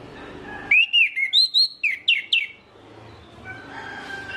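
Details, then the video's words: A lure recording of an orange-headed thrush, meant to make others of its kind sing: a run of about eight loud whistled notes, looping and sliding up and down, followed by quieter background noise. "PANCINGAN ANIS MERAH INI BIKIN GACOR ANIS MERAH LAIN"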